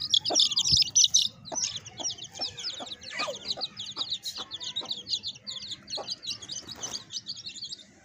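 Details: Cute baby chicks with their hen: loud, shrill peeping bursts at the start, then a steady stream of thin, high chirps, with scattered brief, low clucks and faint rustling throughout.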